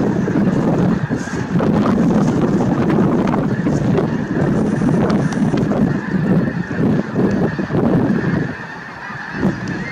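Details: A huge gathering of snow geese honks nonstop at Merced National Wildlife Refuge on 22 January 2023, the dense nasal chorus easing slightly near the end.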